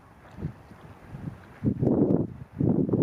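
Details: Mute swan (Cygnus olor) at Tallinn Bay in January 2020 giving a few soft, low grunts, then two longer hoarse, snorting bursts; faint wind in the background.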